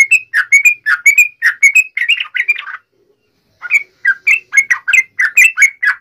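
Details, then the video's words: Yellow-vented bulbul in fighting song used to provoke other birds into replying: quick bursts of bright, bubbly chirps, about three notes per second, pausing for roughly a second before the lively phrases resume. "trucukan gacor TARUNG NGALAS UPLIK ROPEL"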